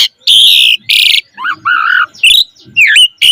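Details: Asian pied starling song used as a lure for caged birds, with loud harsh buzzy squawks alternating with lower wavering warbled notes and a few sharp chirps.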